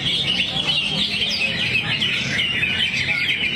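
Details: Greater green leafbird in 'teler' mode, singing its material: a short, busy burst of high chirps and warbled trills, continuous and bright, over soft background chatter.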